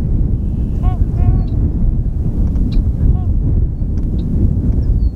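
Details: In Tyre, New York, on April 19, a sandhill crane taking flight utters a few brief rolling trumpet-like rattles, with long gaps between them and constant wind roar.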